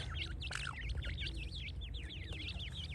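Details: Francolin chicks giving clear, high, swooping peeps, one after another almost continuously, several birds overlapping, over a low rumbling background.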